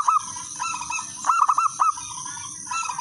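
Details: Local wild zebra dove, its clear song used as a lure for other singing doves. A short coo opens, then a run of four looping notes near mid-clip. Fainter cooing from other doves and a steady hiss continue.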